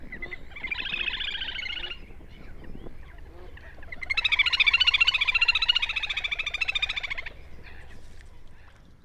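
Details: Little grebe at a lake or flooded rice field in Prachuap, Thailand, near a nest, giving two high, rapid whinnying trills, a short one then a longer one of about three seconds, with low background rumble.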